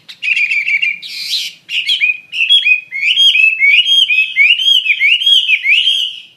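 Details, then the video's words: Chinese hwamei singing strongly, a burst of harsh noisy notes then a flowing chain of loud whistled, wavering phrases with rich overtones, nearly without pause. "SUARA KICAU BURUNG HWAMEI WAMBI GACOR"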